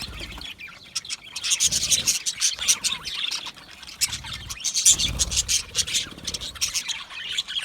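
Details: Budgie parakeets chattering in a group: busy high-pitched chirps and clicks layered over one another, rising and falling in waves, with low thumps in the background.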